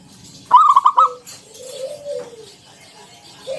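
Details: Ngalun song of a local zebra dove, a 'kung bulat' lure for other doves: a single quick burst of stuttered notes, then a long, soft, arching low coo and quiet pause.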